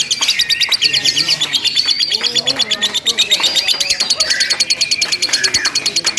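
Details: Long lovebird ngekek from a contest simulation: squeaky, rapidly pulsed chattering with rising and falling whistled slurs, uninterrupted from start to finish.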